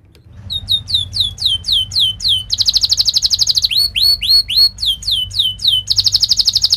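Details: Canary training song for young canaries learning to sing: a run of high descending whistled sweeps about four a second, then a buzzy rolling trill, more upward-hooked sweeps, and another trill.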